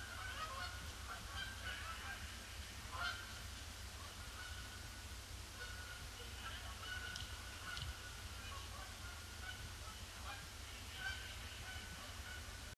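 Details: A large flock of Canada geese circling a pond before landing, Boxing Day, 26 December 2015, under grey skies; bursts of resonant honks come and go throughout, with a low rumbling hum beneath.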